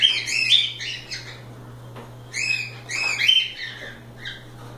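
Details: Loose cockatiels having fun, giving rapid rising-and-falling whistled chirps in two groups, some overlapping, with a continuous low hum behind.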